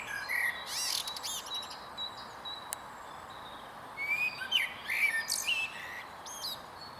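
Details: Male blackbird on a tall tree stump at Huys te Warmont Estate, 22 April 2022, delivering one warbling fluty phrase with a squeaky close after a quiet spell; scattered high calls of other birds heard around it.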